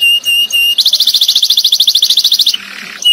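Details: Canary in the tembakan singing style, used as a master song for training other songbirds. Steady high whistled notes lead into a fast, sharp trill of about twenty pulses, then a softer fading note.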